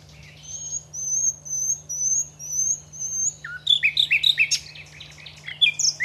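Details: Common nightingale at Aiguamolls park gives a slow run of pure, high whistled notes, each repeated about twice a second, then breaks into a rapid, loud jumble of varied chirps and slurred notes, with a constant low hum behind.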